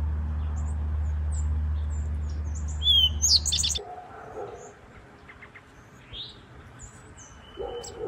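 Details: An Eastern towhee in woodland, where males and females sing to defend nesting territory, sings a brief phrase: a couple of bright notes, then a quick buzzy trill; a low rumbling hum drops away and faint chirps from other birds follow.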